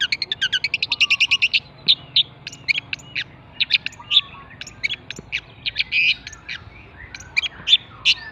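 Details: Javan pentet song opening with a rapid burst of evenly spaced high chirps, then scattered sharp notes and brief warbles, a soft lower whistle recurring in the background.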